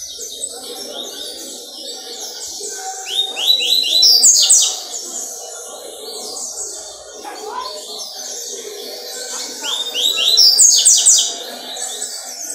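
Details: Double-collared seedeater recorded Wednesday 4 October 2023, giving two bursts of rapid high twittering song, each a quick run of sharp notes sliding upward before trilling on, about six seconds apart, over a faint low hum.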